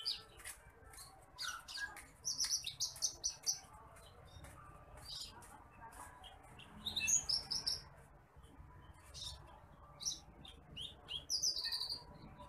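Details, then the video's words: Bush lark (branjangan apung, titimplik), a rice-field bird, in a masteran recording for training other birds: scattered high chirps and short buzzy trills in bursts, with quiet pauses between phrases. "MASTERAN BURUNG BRANJANGAN APUNG (TITIMPLIK)"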